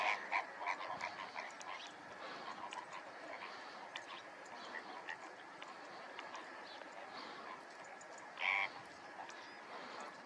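Greater flamingos in a flock keep up a dense, goose-like gabble of short nasal honks, with one louder honk standing out near the end.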